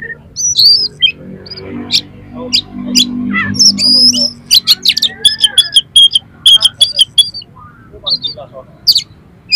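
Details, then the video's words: Oriental magpie-robin song packed with rough, harsh mimicked material, used to rouse another magpie-robin: loud clear whistles near high pitch, sharp rasping notes and rapid clicking bursts in quick irregular succession, with a faint low hum beneath. "SUARA KACER FULL ISIAN MATERI KASAR-KASAR !! COCOK UNTUK MENAIKAN EMOSI KACER"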